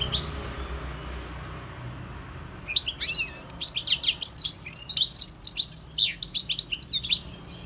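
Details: Wild European goldfinch launching after a hushed start into a long, energetic, high twittering song of rapid tinkling chirps and trills, roughly four notes a second.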